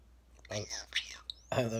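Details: A pet European starling, rescued as a fallen nestling two years earlier, mimics human speech while talking with his owner in Vineland, New Jersey, on April 5, 2020, in raspy, whispery syllables ending with a thin, high rising whistle.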